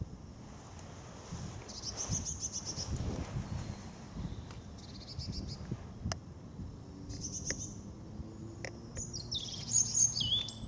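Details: European robin in Veerse Bos woodland, recorded 8 March 2014: thin, high, wavering phrases every few seconds, ending in a brighter twittering run, over a steady low rumble of wind and background noise.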